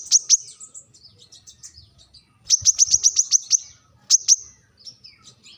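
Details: Brown-throated sunbird's sharp rival call, heard as scattered high, thin chips: a pair, then a quick cluster of about seven, then another pair, with soft twittering between.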